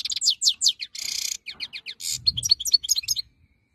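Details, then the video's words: European goldfinch, 2022, delivering quick descending twittered notes broken by two harsh buzzy wheezes, then sharp tinkling chirps, with a low rumbling noise near the end. "chant chardonneret 2022"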